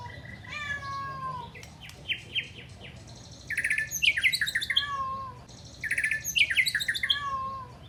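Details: Long, clear song of a white-rumped shama mixing in imitated flycatcher phrases: falling whistled slurs, rapid ringing trills and dense high chattering bursts, with a phrase sequence repeating about every three seconds over faint background hum.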